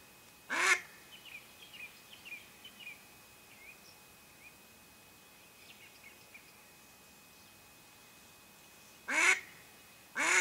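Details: Mallard hen used as a live decoy to lure wild ducks during a hunt: one loud, harsh, nasal quack opens, then two more close together near the end, with faint high chirping notes scattered in between over a quiet background.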